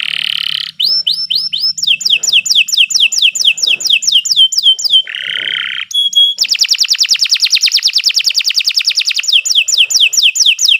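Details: Long continuous canary master song for training: buzzy notes, a series of rising-then-falling whistled slurs, another harsh buzz, then a very rapid rolling trill and more sweeping whistles.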